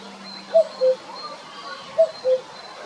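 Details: Male common cuckoo recorded on 23 April 2022 at Jarun in Zagreb, Croatia. Two clear, mellow, falling two-note cu-coo calls sound about one and a half seconds apart over quiet background hiss.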